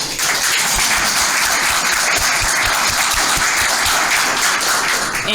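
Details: An audience claps in sustained applause at a speaker event, with no animal sounds.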